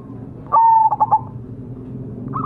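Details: Majapahit-type zebra dove cooing as a lure to prompt singing: one drawn-out coo running into three quick clipped notes, against a soft low hum.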